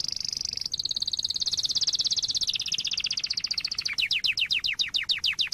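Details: Domestic canary singing a master song meant to teach young birds: fast, high rattling trills change pitch in steps, then slow into a series of sharply descending sweeping whistles repeated about twice per second.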